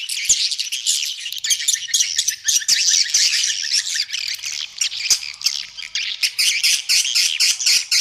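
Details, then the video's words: Dense swiftlet roosting chatter, used as a lure to attract swiftlets to a three-storey building. Many overlapping high, squawky chirps run without a break, quickening into a regular pulsing series near the end. "Suara Inap Walet 3 Lantai"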